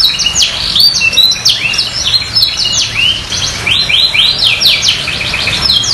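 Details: Canary song played to encourage lazy canaries to answer, bright high chirps and quick descending sweeps in rolling trilled phrases, energetic and unbroken, with a low background hum.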